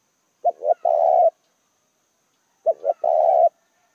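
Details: Spotted dove used as a decoy, calling to attract wild doves. Low, mellow phrases repeat twice, each a brief coo, a slightly rising second coo, then a drawn-out vibrating coo, with silence between.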